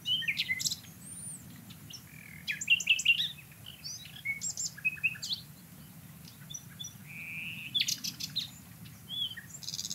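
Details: A Common Nightingale sings in Portugal, a fast sequence of varied phrases: sharp repeated ticks, short sliding whistles and rattling trills, with short pauses between them, over a quiet low hum.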